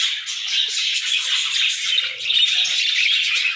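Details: Several budgies singing their morning song, a steady, high chattering warble with clear little whistled chirps breaking through around two and a half seconds, the flock never falling silent.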